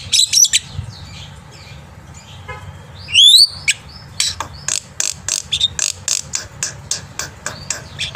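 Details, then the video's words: Black-winged myna in morning song, played as a tutor for young birds: bright rising whistles and a loud swooping note, followed by a quick series of sharp clicky chips, faint low background hum. "jalak putih gacor pagi hari untuk masteran burung jalak muda"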